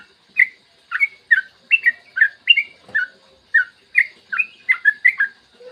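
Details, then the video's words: Yellow-vented bulbul in morning 'ropel' song, used to prompt other bulbuls to start singing. Evenly spaced bubbly whistled notes, each a quick rising-falling slur, steadily repeated, speeding slightly toward the end. "Masteran trucukan gacor ropel panjang cocok buat pancingan trucukan agar cepat bunyi dan ropel"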